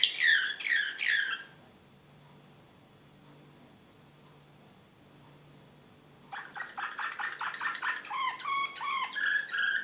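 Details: Serbian slavujar canary, excited, in Belgrade during 2016: a few rich warbled notes, nearly five seconds of quiet, then a dense run of buzzy repeated syllables shifting into clearer whistled slurs.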